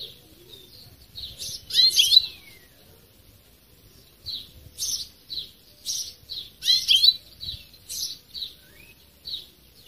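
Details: Breeding call of a European goldfinch: lively high chirps and liquid twittered phrases come in clusters, with a few brighter trilled bursts among them and brief pauses between groups.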